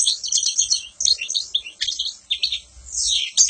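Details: Continuous high, sparkling twitter from a European goldfinch, quick chirps run together with trilled, slightly buzzy phrases, ending in a rising flourish.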